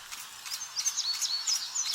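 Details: Lawrence's Warbler, a rare second-generation Blue-winged × Golden-winged hybrid, probably an unpaired male that has sung through June–July and throughout the day in two of the last three summers. Its song, intermediate between the parents, is high, thin, buzzy notes in quick short bursts over soft hiss.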